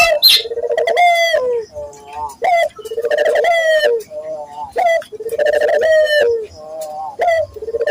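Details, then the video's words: Barbary dove, a local bird, cooing as a lure to train other local doves to sing: sharp rising note, then a trilled, pulsing coo around a low steady pitch, repeated about every two seconds indoors. "pancingan burung puter gacor, melatih burung puter lokal agar cepat gacor"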